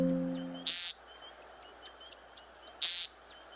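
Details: American Woodcock in early April giving its peent call from the ground between display flights toward dark: two harsh, nasal, buzzy peents about two seconds apart, with a brief low hum at the start and faint chirps behind.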